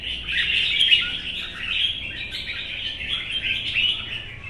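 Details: Old wild-caught red-whiskered bulbul in a cage, competition singing in morning sun: steady, lively warbling of bright chirps and slurred notes, delivered without a break.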